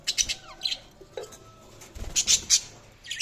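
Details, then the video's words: Budgerigars give rapid high chirps and squeaky warbling notes, several quick bursts close together, with a thin steady whine in the background. "Budgies Sounds| Budgies Chirping sound"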